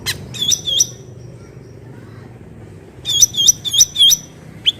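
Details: Cucak ranting bulbul singing in nature: two ringing whistled notes, a pause, then a quick run of four more bright, dipping-and-rising notes and a final short chip, with soft low noise behind.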